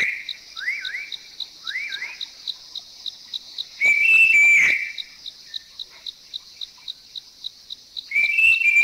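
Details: Puff-throated babbler in Thailand giving its normal three-tone whistle: loud, smooth rising-then-falling notes near four seconds and again at the end, after earlier looping chuckle notes, over steady insect ticking about four times a second.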